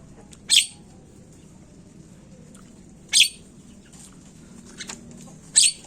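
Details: Asian pied starling (jalak kebo) lure recording used to prompt starlings to sing quickly; three loud, harsh, screechy notes about every two and a half seconds, with fainter chirps between and a low background hum.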